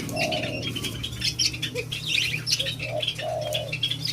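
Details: White-eared brown dove, locally called alimukon, being tamed: low, hollow coos come one at a time, some brief and some drawn out, against busy high chirping from other birds and a steady low hum.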